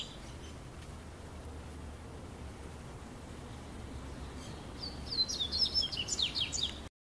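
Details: On a summer afternoon in São Paulo state, Brazil, after several seconds of low background hiss, a Double-collared Seedeater gives a brief burst of song: a quick, high, twittering run of sweet, sliding notes.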